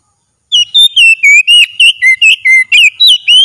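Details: Oriental magpie-robin in vigorous full song as part of a daily training routine. After half a second of quiet come rapid, clear whistled phrases, roughly four per second, alternating rising and falling slurs.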